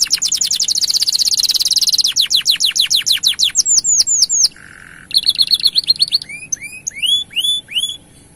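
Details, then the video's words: Canary song used to arouse male canaries and get them singing: rapid buzzy trills, then slower falling whistles, a low nasal buzz, and rising upslurred notes. "Asli Gacor Panjang Bikin Menaikan Birahi Kenari Jantan Untuk Buka Suara"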